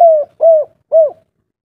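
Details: Spotted dove, known locally as derkuku or tekukur, from Java, singing in the kuk 3 style: three low, smooth coos, each slightly falling, evenly spaced about half a second apart, in a quiet setting.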